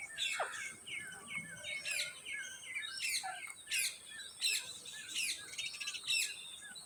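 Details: Green ringneck parrots, rose-ringed parakeets, calling in a series of sharp, rasping screeches repeated roughly every half second to second, among busy twittering and a steady high background tone.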